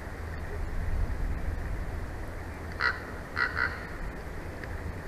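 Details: Bald eagle pair's nest in Big Bear Valley, late evening of 22 May 2024, nest camera; three short, sharp, high chirped notes in the middle, with constant low wind noise throughout.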